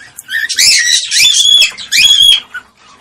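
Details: Cockatiel mating sound for stimulating mating: loud, screechy whistled squawks with a ringing sustained tone, two long calls separated by a brief dip.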